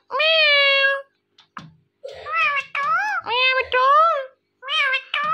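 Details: Indian ringneck parrot producing long, meow-like nasal syllables, one held about a second, then a cluster of wavering rising-and-falling voice-like calls in quick succession.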